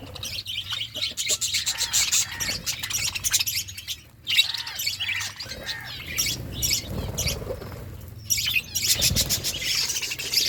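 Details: Eating flock of budgerigars giving continuous high chatter with squawky notes and brisk chirps, broken by brief quieter gaps and a few low knocks.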